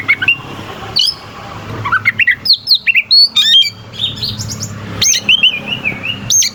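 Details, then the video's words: Oriental magpie-robin in loud, sharp song with harsh fills, used as a lure to make rival birds sing. Quick successions of slurred whistles and chips are followed by a wavering, descending warble and further notes. "Suara kacer gacor NGEPLAY KONSLET pancingan kacer ampuh bikin lawan ikut EMOSI"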